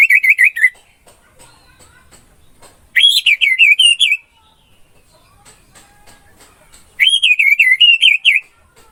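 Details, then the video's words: Orange-headed thrush song for training caged songbirds: three short bursts of rapid wavering whistled notes, each about one second long, separated by pauses of roughly two seconds with faint background chirps. "MP 3 MASTERAN ANIS MERAH MACET BUNYI"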